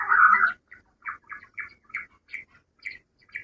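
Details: Rock bush quail, a call used as a hunting lure: one loud rasping burst, then a steady series of short sharp chips about three per second, each clipped and mid-pitched.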